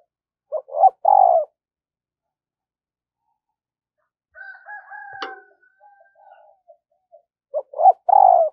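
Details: A trained decoy spotted dove, used for luring wild doves, gives low coos in short bursts at the start and the end. A rooster crows faintly between them, and the middle is largely silent.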